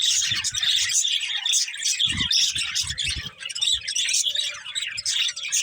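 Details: Budgerigars chirping in a dense, continuous chorus of high, rapid chattering and twittering notes from several birds, with soft low thumps scattered through.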